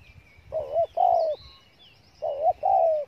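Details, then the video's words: Spotted dove from Cà Mau, Vietnam, cooing in thổ tơ style: two paired phrases, each a short rising coo joined to a longer falling one, over faint chirps of other birds and low background rumble. "Thổ tơ âm khủng chim đủ bài bản"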